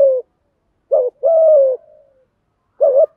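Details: Cooing of male and female spotted doves used to stir other birds into calling: a brief bumpy note and a long, low, smoothly falling coo trailing into a faint tail, then another short note.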